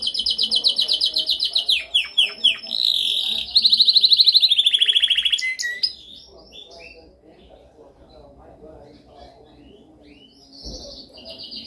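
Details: Canary song intended for training other birds: fast trills of repeated notes, a descending rolled phrase, then a loud steady buzzy trill lasting about two seconds, followed by quieter scattered chirps after six seconds.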